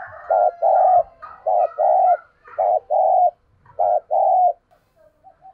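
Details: Spotted dove kept as a decoy, calling to provoke a response in thúc bổi style. Four paired low coos, a short lead note then a longer hollow note, repeat steadily and then trail into faint soft notes.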